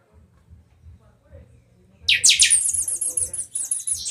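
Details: Buffy-fronted seedeater (pixoxó) from Rio de Janeiro state, singing in the chanchão style with a matildas phrase; after two seconds of quiet, a fast run of very high, thin whistled notes repeated rapidly, over faint low rumbling.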